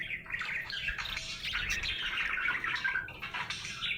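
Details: A happy budgie chatters in dense, rolling warbles with squeaky rising and falling notes throughout.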